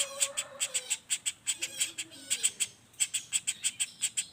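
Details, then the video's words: Non-stop call of a young common flameback, a rapid roll for tutoring other songbirds: sharp, raspy chips in quick runs with small gaps between bursts, plus soft lower whistles in the background. "Suara Pelatuk Bawang Anakan Roll speed tanpa jeda"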